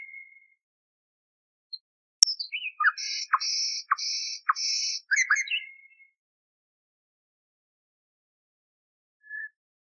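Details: Nightingale song from an old recording with noise removed, used for training canaries: a click, then three long buzzy notes with short low strokes between them, twittering notes, and a long silence with one faint note.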